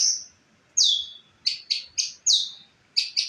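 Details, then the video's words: White-rumped shama (murai), real song used as a tutor recording for other birds: sharp, very high notes, each sliding steeply downward, given singly and in quick pairs with brief gaps between. "masteran suara asli murai termewah burung lain langsung gacor"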